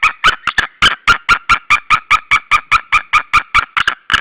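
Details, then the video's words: Duetting white-tailed eagles at their Estonian nest at Saunja, mid-March 2013, early afternoon: a dense, unbroken chain of about seventeen barking yelps in four seconds, notes sometimes doubled as the two birds overlap. "Saunja Linda is screaming and Sulev came on the branche left, they scream together"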